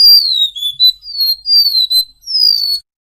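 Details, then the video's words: Golden-bellied gerygone singing thin, very high whistles, about four drawn-out notes sliding downward, each under a second long, with little else heard. "Suara Burung Remetuk Laut Gacor"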